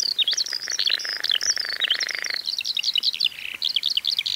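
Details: Rare Baillon's crake in the Zuidlaardermeer area, Netherlands, in summer, where several pairs bred. A dry, rattling trill runs about two and a half seconds under loud, busy, chattering songbird song, which continues alone afterwards.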